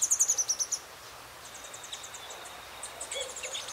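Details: Rufous-headed tanager recorded in the city of Belo Horizonte, Minas Gerais: a loud rapid burst of very high, thin notes that step slightly downward, followed by fainter high-pitched note series and soft background noise.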